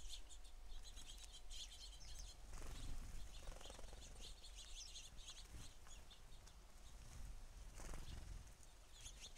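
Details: Many house sparrows crowd a feeder, chattering in busy, overlapping chirps, with bursts of flapping wings as birds land and take off.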